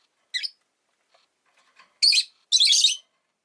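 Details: Pet rosy-faced lovebird giving three short, harsh, high chirps: one brief note, then two longer raspy bursts close together near the end, with near silence between.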